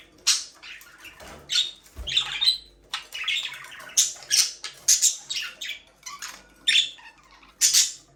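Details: Budgerigars, a breeding pair kept in an aviary, giving repeated sharp squeaky chirps and scratchy warbles every second or so, with a soft thump and low hum.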